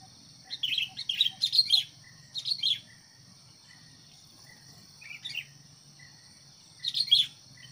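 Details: Decoy sooty-headed bulbul used to provoke fights with wild birds, uttering clusters of quick chirpy notes in separate bursts with pauses between, against a constant shrill insect hum.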